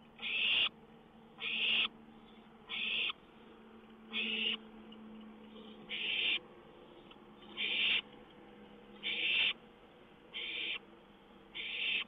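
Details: Owl on a lookout at night, 1:06 a.m., May 19, 2013, songbird nearby; nine short, raspy screech-hisses repeated about every one to one and a half seconds, steady and insistent, with faint background hum.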